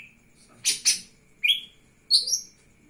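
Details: Brief phrase from a lesser green leafbird singing with its wings opened: two harsh, noisy bursts, a sharp rising whistle, then a bright warbled double note.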